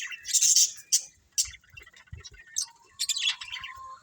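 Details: Pet budgerigars in a colony: a loud scratchy chirp burst at the start, a few sharp single chirps, then a softer warbling phrase with a steady whistled note near the end.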